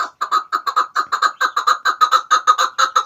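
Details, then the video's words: Chukar partridge used as a lure for hunting, region given as Pakistan and Afghanistan: steady run of harsh, rhythmic clucks in doubled pulses, around two per second, even and persistent throughout. "Chakor ki awaz |sound of kekliksesi partridge"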